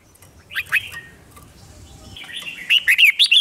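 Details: Red-whiskered bulbul 'hót đấu' challenge song aimed at provoking wild-caught birds: two short slurred whistles, a quiet gap over low hiss, then a quick string of bright looping notes.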